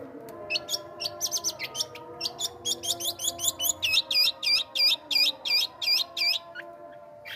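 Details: Sooty-headed bulbul kept and cared for by its owner: high chattering notes speed up into a steady run of looping, rising-and-falling whistled notes, about three per second, over a faint low hum.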